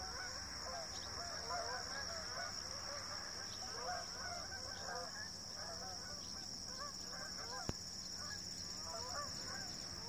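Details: Migrating Canada geese passing in formation over Rochester, New Hampshire, giving a long stream of overlapping honks, many short rising-falling notes from numerous birds at once, against low background rumble and a constant high whine.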